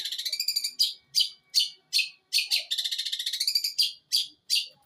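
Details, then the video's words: Long-tailed shrike aged eight months, Jember, East Java, singing imitated material in one breath: short buzzy rattles alternating with loud single rasping notes spaced under half a second apart. "CENDET USIA 8 BULAN MATERI SATU NAFAS GEREJA KUNTILANAK TENGKEK BUTO"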